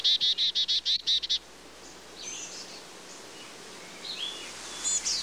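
A black-capped chickadee gives a quick run of about eight short, buzzy, high notes in just over a second, followed by faint scattered chirps.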